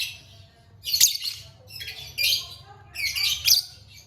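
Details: Lovebird kept as a pet, chirping: three harsh, high squawking bursts spaced roughly a second apart, with faint soft twitters between them over a steady low hum.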